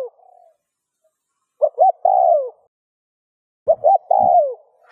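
A spotted dove gives two mellow coo phrases about two seconds apart. Each has a couple of quick low notes, then a longer falling coo. Otherwise quiet.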